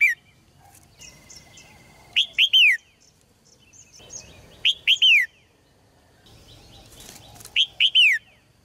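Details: Caged red-whiskered bulbul in full song, meant to spur male birds to sing hard; short phrases of three loud, liquid whistled notes dipping in pitch, repeated every two to three seconds, with soft twittering in the gaps.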